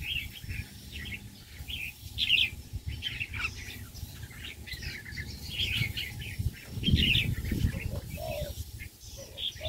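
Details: Male red-whiskered bulbuls in an aviary, a busy chorus of short, bright, warbled chirps and whistled notes that overlap almost without pause, over low rumbling background noise, with a few lower notes near the end.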